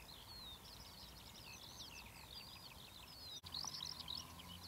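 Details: Marsh warbler (Acrocephalus palustris) singing on 6 June 2008 at Academy Pools, Cleadon: a fast, unbroken stream of varied chattering, trilled and whistled notes over a steady low background rumble.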